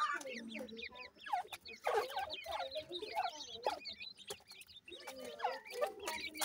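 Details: Grey francolin chicks feeding produce waves of thin downslurred peeps separated by brief pauses, with frequent sharp taps.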